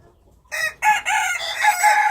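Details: Loud wild chicken crow rising from silence, broken into a few harsh segments before a long, steady, ringing final note.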